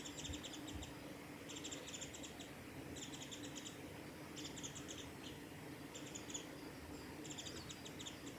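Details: Japanese tit on the Hayatogawa forest road at Lake Miyagase, recorded 28 March 2020; song of short, high, twittering note clusters in quick rapid runs, repeated about every one and a half seconds over a steady low background hum.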